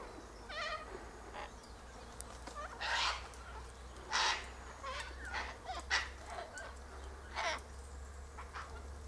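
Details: Wild Sulphur-crested Cockatoos gathered high in a Silky Oak tree, eating seeds from pods. Harsh, raspy broadband screeches burst out at irregular intervals of one to two seconds over a low steady hum.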